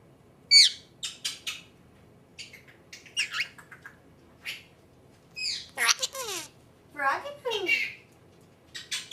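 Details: Female pet Senegal parrot saying its own name: quick high chirps and whistles lead into warbling, voice-like phrases with stacked tones, broken by soft chatter in a quiet indoor room.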